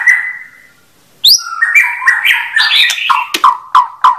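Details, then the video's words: Singing white-rumped shama: a steady whistled note, a pause, then a sharp upward flick and a rich tumbling warble ending in a quick series of four clipped chip notes. "Kompilasi Kicau Burung Murai Batu"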